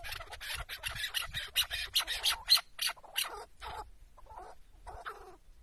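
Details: Tethered chukar partridge used as a decoy in a Şırnak, Turkey hunt: a burst of harsh repeated chuck notes that slows and fades, followed by a pause and two softer, lower notes.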